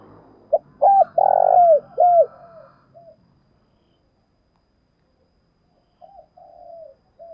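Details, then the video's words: Vigorous morning thúc bổi calling by a decoy spotted dove: a rapid, loud sequence of curved, falling coos with one long, harsh, buzzy note, then silence before softer coos return. "Chim cu mồi gáy gọi buổi sáng và tiếng cu mồi thúc bổi rất sung"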